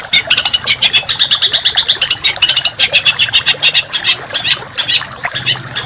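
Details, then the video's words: Contest songbird training recording of coarse, tightly packed song. A fast, high chattering trill breaks into bursts, with sharp squawky notes and a faint low hum underneath. "Masteran Burung Kicau Tembakan Rapat dan Kasar"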